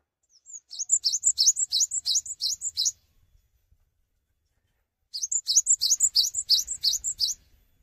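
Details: High-pitched Cinereous tit song, delivered in full voice without hopping around: two strings of quick, bright, chopped double notes, each lasting about two seconds, with a pause between and faint low background rumble.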